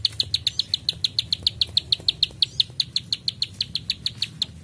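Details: Rapid, even series of sharp high ticks from a plain prinia, the "klik klik" burst style, about five clicks per second throughout, with faint low background rumble.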